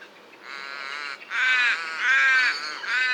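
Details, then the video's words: Common raven making drawn-out, rasping, nasal calls run almost together, rising in loudness across three seconds. "Raven Sound | Mysterious Calls of One of Nature’s Smartest Birds"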